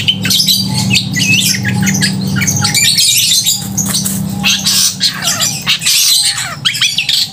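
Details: Long-tailed shrike in full song, crystal-toned and loud, played to arouse emotion and mating drive in other shrikes; dense bursts of shrill chatter, squawks and brief whistles, pausing more near the end, with a low steady hum behind.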